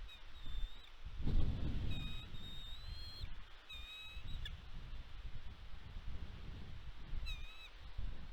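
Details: Bald eagle pair at the West End nest on Catalina Island, California, USA, recorded by nest cam on 29 March 2022 during a food delivery: thin, high whistled notes in short strings, with steady wind rumble beneath.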